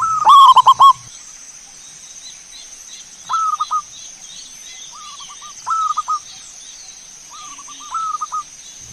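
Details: Zebra dove song as a lure to prompt singing. One loud burst of rapid coos opens, followed by three quieter, more distant cooing phrases about every two to three seconds, over a constant high hiss.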